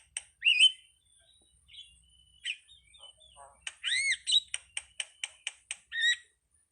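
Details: Starling uttering scattered soft whistles and squeaks, then a loud arched whistle followed by a quick series of sharp, evenly spaced clicks.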